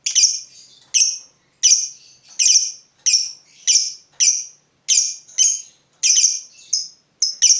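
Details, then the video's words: Excited fighter lovebird facing an opponent repeats loud, piercing single chirps, each a sharp high squeak with a short tail, spaced a little under a second apart over quiet background. "Terpancing Emosi Begitu Lihat Lawan, Lovebird Fighter ini Langsung Narung"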